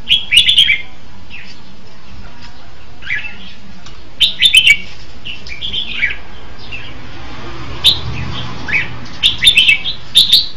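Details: Red-whiskered bulbul singing in bursts of bright, bubbly chirping phrases, short warbled notes clustered together and repeated every few seconds with brief pauses between, over low background hum.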